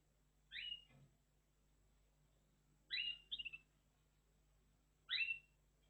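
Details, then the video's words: Red factor canary, a caged finch, giving short bright chirps with downward-sweeping notes, three separate bursts about two seconds apart, the middle one followed by a quick stuttered trill; quiet room hum beneath. "Red Factor Canary Finch Singing Exhibition"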